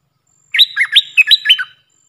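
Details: Decoy Puff-throated bulbul calling to teach young birds: five rapid, warbled notes swinging between high and mid pitch in a tight phrase of about one second, clean and without background noise.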